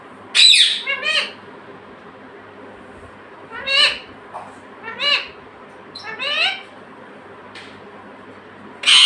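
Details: Talking pet parrot, described as saying "mummy" and "papa". Opens with a harsh screech, then gives a string of short, nasal, word-like phrases in harmonic bursts a second or two apart, ending on another screech.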